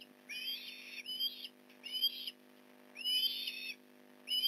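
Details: Osprey during a fish delivery at a nest in Port Lincoln, 8:24am, November 15, 2019: loud, rasping whistled calls repeated in rhythmic bursts roughly every second, each with rich overtones, above a continuous low hum.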